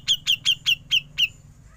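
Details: Six sharp, high, downslurred 'pik' notes at an even pace of about five per second: ngepik calling by a Grey-cheeked bulbul, recorded for training songbirds, with faint low hum behind.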